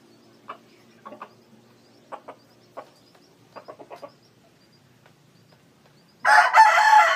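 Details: A decoy red junglefowl rooster, said to crow well, makes soft, scattered clucks in a quiet setting for six seconds. Then a sudden loud, harsh crow bursts in and runs to the end.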